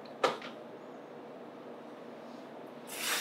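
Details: A sharp knock like a cupboard door near the start, quiet room hiss, then a rush of broadband noise at the end; no animal voice.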